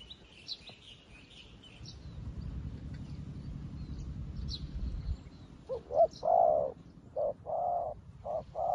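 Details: New decoy spotted dove calling in wild doves. Soft twittering and a low rumble come first, then loud, hollow coos in a broken series of short and longer notes.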